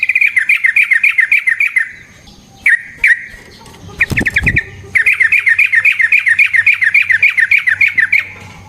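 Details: Long rolling song of a yellow-vented bulbul used to lure other bulbuls into singing. Evenly paced bubbly chirps run fast and steady, broken once by a brief burst of clicking.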